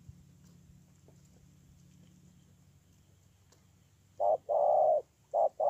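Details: Spotted dove from Tu Mơ Rông, Kon Tum, Vietnam, recorded 10/1/2018: after a quiet stretch with low hum, a short note and a longer, steady, mellow coo, then two more brief notes at the end.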